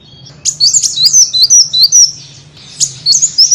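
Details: Small bird lure sound: a quick, jumbled high twittering of sharply slurred notes, with a short lull and a brief renewed burst, over a low background hum.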